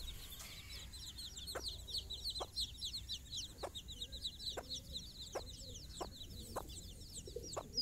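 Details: Hen leading her young chicks on a morning walk: spaced single clucks about once a second beneath a dense, continuous twitter of high chick peeps.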